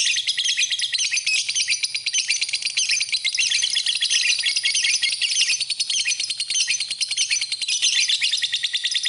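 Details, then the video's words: Lovebird in a masteran-style recording: a dense, unbroken high chatter of rapid buzzy trills and squeaky notes that runs on without a pause and stays bright and sharp throughout. "Kicauan Burung, Love Bird, Masteran Love Bird"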